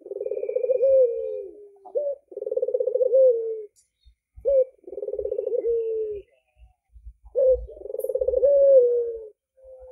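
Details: Vigorous, sweet-voiced song of an albino Barbary dove with red eyes: three rolling, quavering coos, each ending in a drawn-out falling note, with a short rising note before each. Light low tapping noises are also present.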